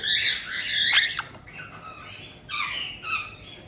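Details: Captive white-bellied caiques in Tokachi, Hokkaido, Japan, 18 June 2023, with a resident pair welcoming a young bird of about two months. A loud, raspy run of squawks opens the recording, ending in a sharp crack, then two shorter harsh calls follow.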